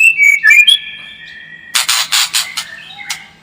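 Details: White-rumped shama song played as a lure to build a fighting spirit in kept birds: loud whistled notes, a long steady whistle, then rough rasping bursts with a thin whistle at the end.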